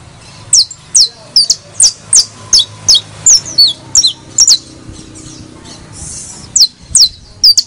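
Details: Criollo saffron finch song for encouraging other birds to sing: a lively series of shrill, falling chirps, roughly two per second, pauses for about two seconds, then resumes with a few more notes.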